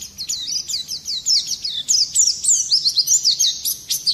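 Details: Brief burst of Oriental white-eye ngerol nembak song, used to stir other birds into singing: a rapid, unbroken stream of very high zigzag chirps and twitters, rising in loudness toward the end.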